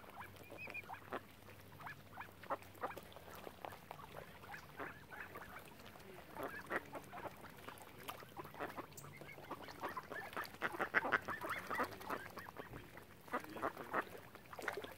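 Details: Many ducks gather on Lough Neagh at Oxford Island, Ireland, giving a steady stream of short rasping quacks and honk-like notes that grow busier and louder toward the end, over a soft low rumble.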